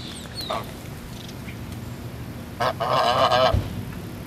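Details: Geese at a resort: faint calls at first, then a loud drawn-out nasal honk with a wavering tone, over constant low hum.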